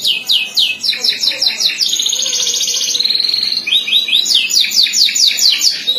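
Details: A domestic Belgian canary, possibly a contest bird, sings loudly and without a break: fast, bright trills and repeated chips, a smooth rolling tour in the middle, and sharp whistled notes at the end.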